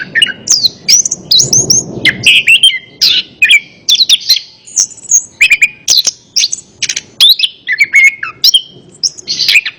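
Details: Orange-headed thrush song meant to stir a silent bird into answering: a dense string of short clear whistles, downslurs and chattery notes, delivered almost without pause.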